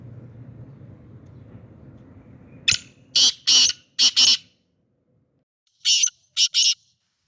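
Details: Sindhi black francolin (kala teetar), noted for a sweet voice, gives a series of harsh, grating, broadband notes in two bursts, four and then three, after a stretch of low background hum.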